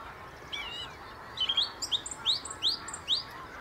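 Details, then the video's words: Wild song thrush perched on top of a tree near the Inn River, singing a run of bright upward-sweeping whistles repeated about five times in quick succession after a brief warbled opening, with light background hiss. "song thrush singing beautiful on top of a tree"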